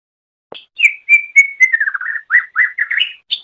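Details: Greater green leafbird song used as a masteran recording for training pet birds: a sliding whistle, then a steady run of clear whistled notes that waver and step between phrases, ending on a higher note; no other sounds.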